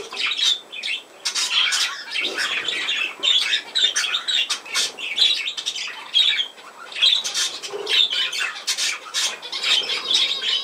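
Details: Budgerigar chatter: dense, scratchy warbling with quick squawks and chirps running almost without pause, a few sharp clicks and faint wing flutters.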